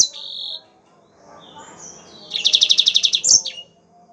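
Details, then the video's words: Yellow-fronted canary singing, a training recording: a short high note, a quiet gap with faint chatter, then a rapid pulsed trill of about a dozen notes ending in a sharp upward chirp. "MASTERAN BURUNG MOZAMBIK GACOR"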